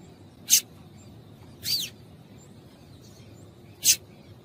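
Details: Female double-collared seedeater calling to excite a male into singing, as used by breeders for song tournaments; three short, sharp high chips about 1.5 to 2 seconds apart, the middle one a slurred downward note, over faint low background hiss.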